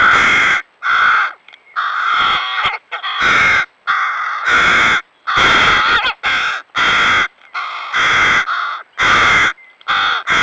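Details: Hooded crow (Corvus cornix) fledglings on the Nemunas riverbank, already independent but still begging food from a parent: loud, harsh, hoarse drawn-out calls, about a dozen in ten seconds, in rapid uneven succession with short pauses.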